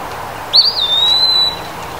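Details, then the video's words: Summer song of an Eastern wood-pewee, a single sweet whistle that rises sharply, wobbles, then settles into a sustained, level high tone lasting nearly a second; soft background hiss throughout. "Eastern Wood Pewee"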